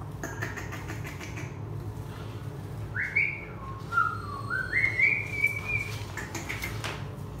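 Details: Javan myna while bathing: a series of clear whistled notes, a rising whistle, a lower note, then a stepped upward whistle and a longer high sustained whistle, over steady low background rumble and splashing or flapping sounds.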